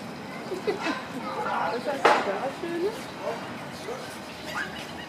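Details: Australian magpies (Gymnorhina tibicen) at Zoo Berlin duet in a jumble of short fluting, warbling and gurgling notes jumping in pitch, with one sharp click midway and a busy murmur behind.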